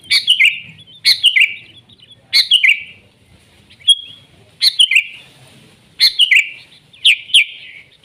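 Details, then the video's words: Wild sooty-headed bulbul, energetic gacor song in nggaruda style: six bright clusters of quick, tumbling notes delivered about once a second, with brief gaps between phrases. "Suara Burung Kutilang Gacor ASLI ALAM lanjut NGGARUDA"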